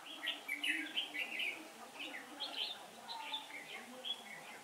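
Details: Red-whiskered bulbul, a decoy bird used in trapping on a windy day, 15 October 2017, singing a rapid series of bright warbled phrases, clustered notes pouring out almost continuously with short gaps between bursts.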